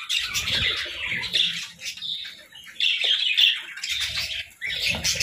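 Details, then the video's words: Morning chirping from a parakeet flock: bursts of shrill warbled chatter broken by short quieter gaps, plus soft fluttering noises. "Morning Chirping Parakeets"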